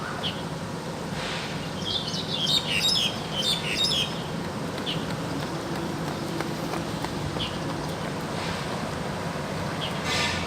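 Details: Wild crested myna in active song, a burst of clear, ringing whistles and chirps in the first few seconds, then mostly steady background hiss with scattered faint notes.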